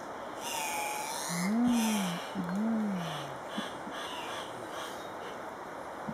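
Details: Andean cock-of-the-rock at a lek, Paz de las Aves, Ecuador: harsh squawks mixed with two low, arching, moaning notes, then quieter rasps. Other bird whistles and a steady high insect hum continue behind.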